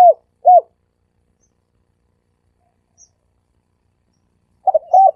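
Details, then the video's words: Dove lure call in the sam kuk three-coo style: two short arched coos, a long pause, then a stuttering pair of soft notes, nothing else heard. "เสียงนกเขาสามกุก เสียงนกเขา เสียงนกเขาใช้สำหรับต่อ เสียงนกเขาต่อหมานเข้าเร็ว"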